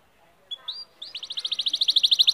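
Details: Canary song opening with a few soft, separate upslurred notes, then a quick, evenly spaced trill of bright chirps growing steadily louder; faint background hiss.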